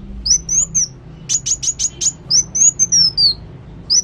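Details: ['Actively singing sunbird called kolibri wulung. A run of quick sharp high ticks sits between longer thin whistled notes that wander and fall slightly, in a busy, continuous stream.']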